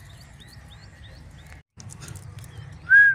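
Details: Rose-ringed parakeet kept as a talking parrot: faint high chirps early on, a brief gap, then one loud clear whistled note near the end over low background hum.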